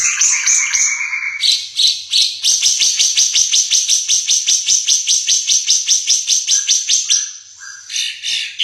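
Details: Ara Mata Merah, endemic to East Nusa Tenggara with a distinctive, variable song: a few clear high whistles, then a long, steady rattle of sharp piercing notes around four per second, ending in lower slurred whistles.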